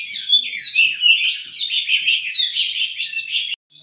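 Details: Kacer, the oriental magpie-robin, singing loudly with imitated phrases: a rapid run of high chirps and whistled sweeps, fast and irregular, ending in a brief silence and one more note.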